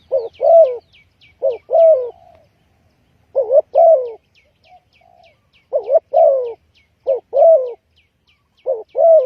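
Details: Repeated two-part coos from a spotted dove kept as a trapping lure. A short wavering note is followed by a drawn-out falling croo, with about seven phrases and a soft low coo in a pause. Faint high chirps come from another bird.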